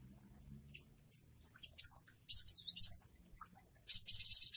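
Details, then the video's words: Java sparrow song of the wingko variety with falling rain: thin, high chirps and short bright trills come in scattered bursts, ending in a longer, dense, buzzy trill, over a faint low hum. "Glatik wingko jueh variasi dan air hujan"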